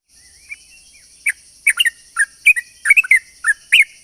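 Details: Sooty-headed bulbul lure song meant to draw other bulbuls, described as long rapid chattering: short bubbly, slurred notes scattered in quick irregular bursts after a quiet start, over a steady high electronic-like hum.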